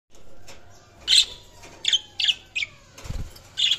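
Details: Budgerigars chirping: short bright bursts of high chattering notes, about six separate bursts over a few seconds, with a soft low thump near the end.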